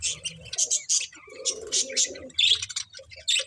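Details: Brief budgie chatter, clipped high chirps and squeaks in quick succession, with a low murmuring warble underneath.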